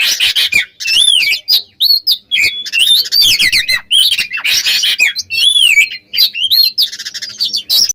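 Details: Oriental magpie-robin in full, continuous song to provoke rival birds: dense, varied whistles with looping rising and falling notes, harsh chattering bursts and quick chirps, barely pausing for eight seconds.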